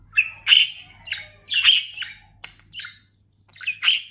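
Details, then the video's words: A pet budgerigar known as a talker, newly molted and very plump, utters a few harsh squawky notes and scratchy chirps, spaced about half a second to a second apart, with a short gap near the end. "Konuşan muhabbet kuşu"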